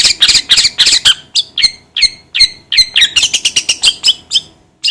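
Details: Long-tailed shrike: grating, scratchy notes at first, then a string of down-curving squawky calls about twice a second, ending in quicker chatter.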